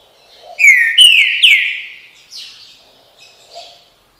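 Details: Green-winged saltator song of the "bom dia seu chico" style: three loud, clear whistles, each falling in pitch, followed by softer chirping notes trailing off.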